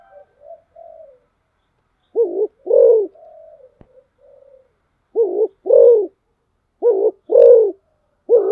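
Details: Spotted dove kept as a decoy, soft low murmurs at first, then three clear two-part coos, a clipped note leading into a drawn-out mellow hoot, spaced roughly every two seconds; a sharp click midway.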